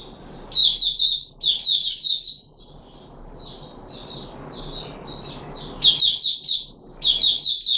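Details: Red-whiskered bulbul of the Puteh Raja type, kept and fed special fruit juice with a mealworm, 13 April 2021. Loud bursts of sharp warbled notes alternate with a quieter, rambling twitter in between.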